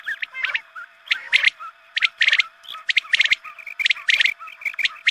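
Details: Quail calls played at dawn prayer time to draw quail in for hunting: bright chirping notes in tight clusters, roughly one burst per second, over a steady low electronic hum.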